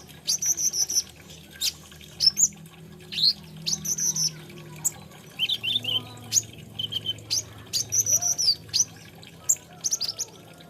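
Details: Olive-backed sunbird, known as kolibri ninja or konin, giving repeated bursts of high, ringing notes and brief trills separated by short pauses over nearly eleven seconds.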